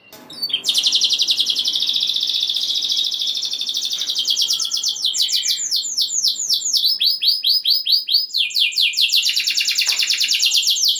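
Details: Canary in full song, used to stir other canaries into singing: long rapid trills of fast repeated notes, shifting into rolling descending sweeps, then quick buzzy syllable runs, loud and continuous throughout.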